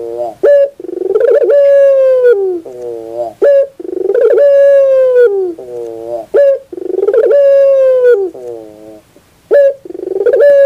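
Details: A Barbary dove repeats its song for training birds: a drawn-out ringing coo fading downward, a low wavering trill, then a brief clipped note, cycling about every three seconds.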